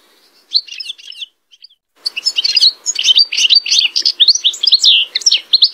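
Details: European goldfinch singing at full vigour: a brief twittering burst, a pause with a few clicks, then a continuous run of rapid, tinkling, buzzy notes jumping up and down in pitch.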